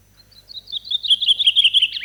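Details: A Gran Canaria blue chaffinch sings in the breeding season on Gran Canaria: a bright, quick series of high chirpy notes that speed into a rapid rattling trill before ending.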